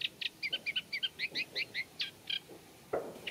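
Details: In a reed bed, a Eurasian reed warbler gives a chain of short, dry chirping notes at an even pace, then a brief lower rasp after a pause; its song is said to mix in imitations of other birds.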